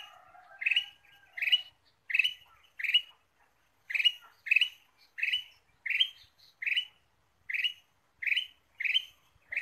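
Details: Lively run of about fourteen clipped, grating chirps from a ruby-throated bulbul used as a lure, coming steadily every half to one second, with a soft whistle at the very start.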